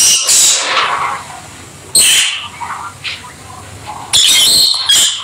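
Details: Pet peach-faced or rosy-faced lovebirds playing together indoors; piercing high shrieks separated by softer chatter, with loud screeching bursts at the start, middle and end.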